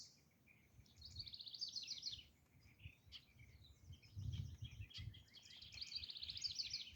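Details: Acorn woodpeckers in Cheeseboro Canyon, Santa Monica Mountains National Recreation Area, giving rapid series of harsh, nasal, stuttering notes in bursts of about a second, repeated several times, with low rumbling background noise.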